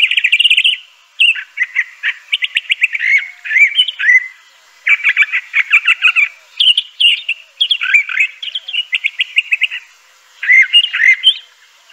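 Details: Crissal thrasher (Toxostoma crissale), found near streams in dense undergrowth, sings a steady stream of varied phrases, mixing fast stuttered trills with sweeter slurred notes and brief pauses.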